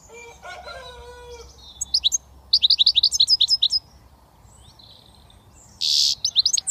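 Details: British European goldfinch, young and just starting to whistle, gives a string of high, liquid twittering notes after a lower harmonic call at the start, ending with a brief harsh rasp.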